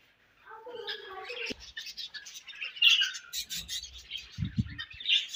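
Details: Budgies chirping while eating, starting after a brief silence with a short descending whistled phrase, then dense scratchy chatter, and low knocking sounds near the end.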